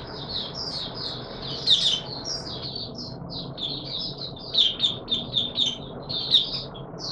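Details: Singing Mata Puteh Raja white-eye on a warm humid day, 20 March 2022: high, jumbled twittering phrases with several sharper, emphatic notes standing out, some repeated in a quick series near the end.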